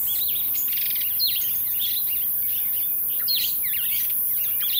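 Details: Jameson's firefinch, a rare visitor to a suburban garden in Pretoria, South Africa, gives a busy run of high, thin twittering notes, sharp chips and short trills, packed closely together over a soft background hiss.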